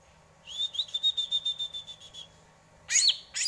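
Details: Greater green leafbird song: a quick string of about a dozen clear whistled notes at a steady pitch, followed by loud sharp squeaky notes.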